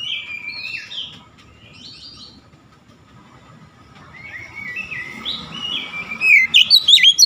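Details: Oriental magpie-robin giving an aggressive "shooting" (nembak) song display: varied whistled and slurred phrases, then a loud fast burst of sharp repeated notes near the end.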